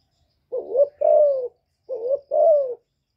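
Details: A spotted dove hen gives two soft, low coos in quick pairs, the second longer and falling, repeated once, with nothing else heard; her call is used to stir newly kept males into cooing.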